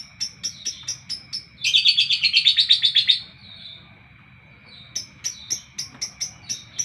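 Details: Repeated crisp high chirps from a lovebird in the morning break into a loud, rapid rattling chatter, pause, then resume as evenly spaced sharp chirps.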